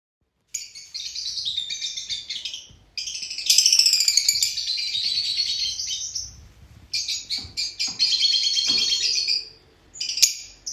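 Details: Several Fischer's lovebirds chattering: dense, high-pitched bursts of shrill twittering and squeaky notes in long runs of two to three seconds, separated by short pauses, with occasional sharp chirps standing out.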